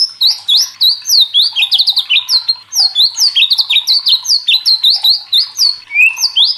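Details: White-rumped shama, known locally as murai batu, in loud, excited full song: rapid tumbling sequences of high whistled slurs and short chips, many notes per second, ending with one lower rising whistle.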